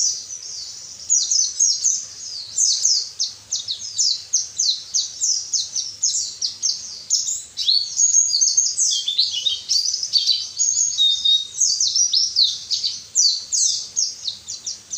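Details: High-pitched white-eye song meant to spur idle caged birds into singing; long bursts of fast twittering and warbled slurs run almost unbroken, rising and falling in loudness, over faint low background hum.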